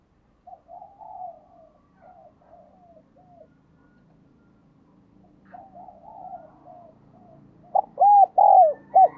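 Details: Spotted dove as a decoy bird, calling to attract others: quiet murmuring coo notes for most of the stretch, ending in a loud run of four arched hooting coos.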